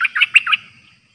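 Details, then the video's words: Song phrase of a caged streak-eared bulbul, a newly trained decoy bird, recorded 6 May 2022: four quick, chirpy, bubbling notes within half a second, fading into silence. "เสียงนกดอกแตงEp.106นกต่อใหม่ เจ้าขันเงิน เปิดดอกล้วนๆ Birds sounds suara merbah lekir"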